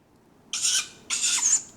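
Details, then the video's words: Tawny owlets calling for food at dawn in July in a large Welsh woodland (Padarn Park): two hoarse, wheezy hisses about half a second apart, high and breathy, each ending in a thin whistled edge. "Sound of Tawny Owlets calling for food at dawn"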